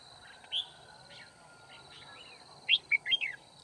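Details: Red-whiskered bulbul decoy during trapping on 9 February 2019, singing to challenge rivals; one short whistle, then after a pause a quick burst of four sharp chirpy notes, with soft background hiss.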